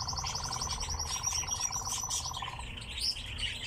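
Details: Captive nightjar: a rapid pulsed churr lasting about two and a half seconds, then stopping. A thin high whistle and busy chirping from other birds run alongside it.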